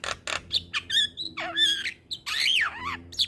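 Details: Javan myna masteran song used to train young mynas into full, lively singing: harsh rasping bursts mixed with short whistled notes and a rising-falling squeal, irregular phrases over about three seconds.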